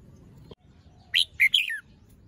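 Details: Young Red-whiskered bulbul with fluffed feathers, still moulting and with a small crest, singing in the morning: a short phrase of three clear, rich whistled notes, the last one sliding downward.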